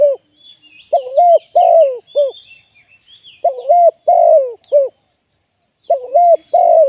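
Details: A live decoy spotted dove kept for trapping gives three phrases of mellow coos. Each phrase has a brief note, a drawn-out falling croo and a short closing coo. Faint high chirps of other birds are heard between phrases.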